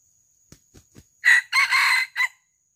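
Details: During the traditional practice of luring wild junglefowl for live capture, three soft taps lead into a loud crow: a short opening syllable, a long hoarse middle section and a brief closing note.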